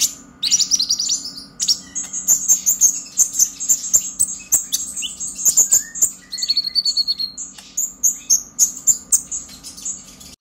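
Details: Long burst of purple-throated sunbird 'ngobra emosi' chatter, meant to stimulate young birds to sing: sustained bright, rapid high-pitched twittering with trills and sharp chips, barely pausing, faint background hum.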